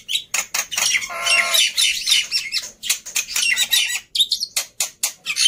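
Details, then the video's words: Black-winged myna in lively song for use as a lure to get birds singing: dense harsh chatter with a drawn-out nasal squawk, followed by rapid rasping notes and short sharp bursts. "Sangat Ampuh Memancing Burung Jalak Putih Bahan Cepat Bunyi Anti Mandek || Jalak Putih Gacor"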